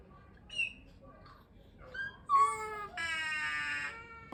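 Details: A talking common myna on a sleeper coach bus in Chittagong, Bangladesh, speaks in short squeaky, nasal syllables, then gives a rising yelp and a long drawn-out, almost meow-like wail near the end.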